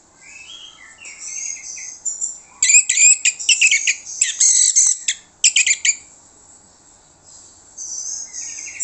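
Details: Orange-headed thrush song used to lure other birds into answering. Quiet whistled phrases frame a loud middle section of rapid, harsh, stuttering bursts, with soft whistles returning at the end.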